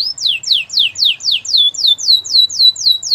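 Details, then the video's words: Canary singing a training song, a rapid run of clear whistled notes each sweeping down, repeated evenly about four times a second. "Your canary will not stop singing with this training song"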